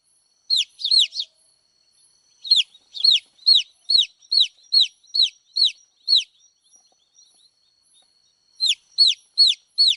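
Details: Chirping baby chicks give bright, sharply falling peeps in quick bursts, separated by short silent pauses; the notes are clean and high-pitched with nothing else audible.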